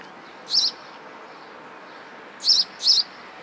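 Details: Sparrow giving three short, high, twisting chirps, one alone and then a close pair after a pause, against quiet background hiss.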